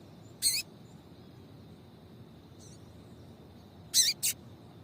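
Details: Calling female papa-capim seedeater, whose piado is used to warm up males to sing: a sharp chip, a long pause, then a quick pair of clipped high notes, over low steady hiss.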